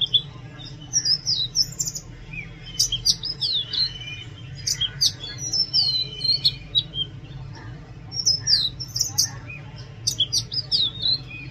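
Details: Loud, varied Oriental magpie-robin song: clusters of crisp high whistles and buzzy twitters repeated in three bursts with short gaps, over a constant low background drone.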